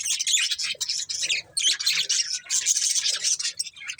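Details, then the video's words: Budgerigars feeding on corn keep up a dense, continuous chatter of high, scratchy warbled chirps, with one short break midway. "Cute Budgies Enjoying Eating Corn | Love Birds Chirping Sounds"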